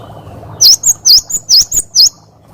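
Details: Cinereous tit, a lively 'wucit wucit' training song for other birds: one clear burst of seven high, sharp, dipping whistled notes in quick succession, over a faint low hum.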